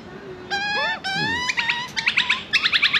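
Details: Baby Australian magpie in Australia asking for food, starting with two long drawn harmonic wails followed by quick stuttering chirps in rapid bursts.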